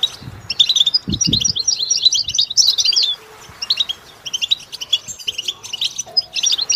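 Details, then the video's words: Goldfinch in song, recorded as training material: bursts of rapid high chirping twitter broken by a brief pause, then resuming, with occasional low thumping sounds. "Developing the Goldfinch’s Talent- How do you Motivate it to Sing"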